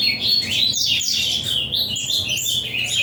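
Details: Brief burst of ultramarine grosbeak avalanche song, smeared rapid warbling and high sweeping notes crowding together with little gap, a low background rumble present.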